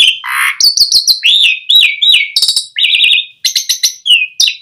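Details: Asian pied starling singing to lure other starlings into song: a dense, unbroken medley of clear whistles, quick downward slurs, buzzy trills and sharp ticks, loud throughout with barely any pauses.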